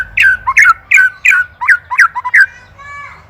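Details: Indonesian white-rumped shama master song for songbird training: about eight squeaky, downslurred chirps repeated steadily over two and a half seconds, then a faint drawn-out note, in a small-sounding space.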